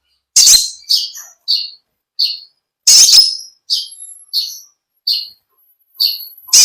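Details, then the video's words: Konin, the olive-backed sunbird, giving loud, high chirps in an even series, two harsh explosive bursts among them, with a thin sustained whistle faintly running beneath the later notes. "Original sound konin kolibri ninja suara lb ngekek panjang gacor"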